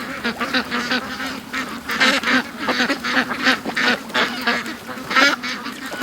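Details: Domestic ducks, one of a flock of about fifty, rushing out of their pen toward a creek and lake in the morning after being made to wait an extra hour; many overlapping nasal quacks in quick, uneven bursts.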